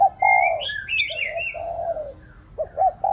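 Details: Cooing of a spotted dove kept as a decoy, played so pet doves will coo. Long soft falling coos and clipped short notes, overlaid at the start by a bright warbled whistling of another bird.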